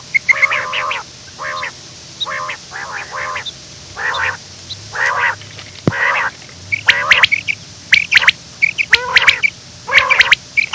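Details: Quail calling in the morning while running: a steady series of short, nasal, stacked-tone calls, some doubled, roughly one a second, mixed with high sharp chirps and clicks that grow busier toward the end.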